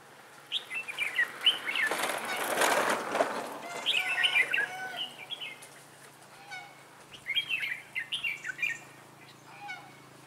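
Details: Red-whiskered bulbul decoy on its first trapping outing, 11 December 2016; rapid chattering phrases in two groups separated by a loud rushing burst like wing flaps, with low background hum.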